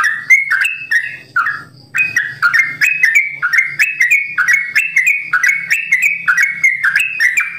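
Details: Sooty-headed bulbul in a cage delivering its long 'ropel' song; after a brief pause, rapid rising-then-dropping whistled phrases repeat about once a second, with a soft low droning underneath.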